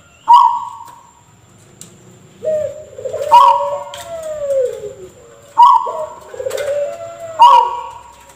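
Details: Zebra dove giving an unusual call likened to a person coughing: a short abrupt note followed by a lower, drawn-out falling coo, repeated about every two to three seconds, with a faint steady high tone behind.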